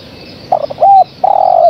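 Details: Spotted dove, a female calling persistently for the male, gives one low cooing phrase: a brief broken note, a smooth arched coo and a longer, slightly wavering coo that fades downward, against a constant hiss.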